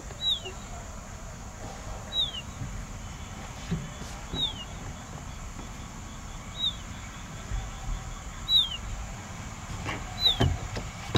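Pied bushchat giving a short, thin, falling whistle about every two seconds, six times, over a low rumble of distant traffic or wind.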